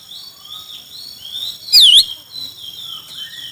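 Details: Chinese hwamei contest song: soft, continuous high warbling with one sudden loud whistle that dips and rises sharply in the middle, then soft warbling resumes.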